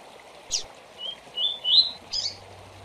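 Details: Double-collared seedeater with the quick tui-tui tournament song for training young birds: a sharp chip, then three rising whistled notes growing louder, ending in a rough high flourish, over faint steady hiss.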